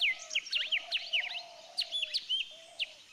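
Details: Golden-fronted leafbird (Chloropsis aurifrons) calling in a garden in western Thailand: quick, varied whistled notes, sharp downslurs and chips in rapid bursts, over a low steady hum.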